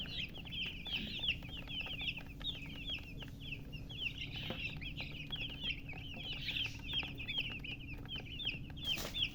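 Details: Just-born domestic chicks peeping loudly, many birds together: continuous rapid bursts of shrill, falling chirps with hardly a pause, over low steady hum and a few faint knocks.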